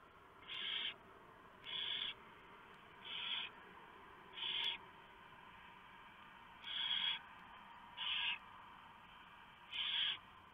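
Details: Nighttime barn owl nest, 3 November 2015, shortly before 4 AM; the male has brought a very large mouse, which the female tears up to feed the owlets. Seven rasping hiss bursts repeat roughly every one to two seconds over steady background hiss.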